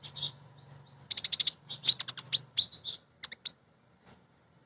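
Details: A female crimson sunbird calling males, used to lure birds into singing. Thin rising whistles lead into fast buzzy trills of high chips, then scattered sharp notes.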